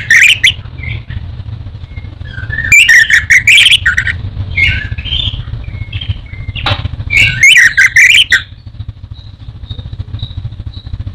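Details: Orange-headed thrush, a popular cage bird in Indonesia, singing in the teler style: bursts of varied, rapid whistled phrases over a steady low rumble of passing motorcycle and traffic noise.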